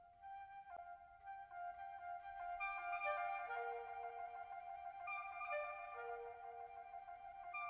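Flute melody with sustained, ornamented notes over soft classical accompaniment, with no animal voice present.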